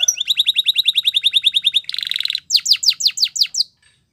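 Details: Canary training song: a fast rolling tour of bright chirps near fifteen per second, then a dense buzzy trill and a run of sharp falling whistles; described as Spanish Timbrado training song.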